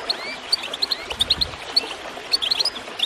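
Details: Goldfinch chirping, set against gurgling water and meant to prompt birds to sing. Scattered sharp, high tweets come in quick pairs and triplets, with a few thin, sliding whistles mixed in.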